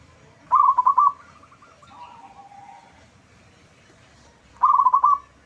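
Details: Loud local zebra dove singing as a lure to draw answering calls from other doves; two short rolling coo phrases of quick bubbly notes about four seconds apart, with faint distant cooing between.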